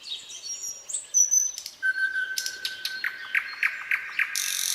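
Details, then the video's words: Common nightingale in a quiet spring pine forest, 2024: high thin whistles, a long level whistle, then a rhythmic run of loud repeated notes ending in a rasping hiss. "пение соловья в тихом весеннем лесу"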